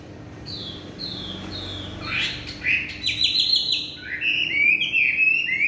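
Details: Chinese hwamei in evening song, opening with three descending whistles, then building into fast, loud, buzzy trills and repeated slurred phrases that continue to the end.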